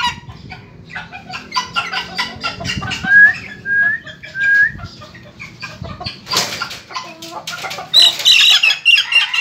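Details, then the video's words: Ayam Ketawa (laughing chicken) chick, very vocal: a few short, rising whistled peeps sound through loud clattering and scraping, with a higher squeaky run near the end. "anak ayam ketawa gacor"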